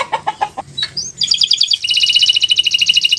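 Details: Canary singing owor-owor uhuii style master song: a few lower choppy chirps open the phrase, then a rising whistle leads into a bright, rapid, rolling high trill that continues to the end.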